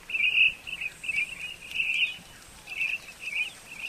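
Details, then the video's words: Common starling song segment of a dry, buzzy rattling chatter in short bursts, with a brief pause before the chattering resumes, against faint background noise. "Скворец. Часть 2. Голоса птиц"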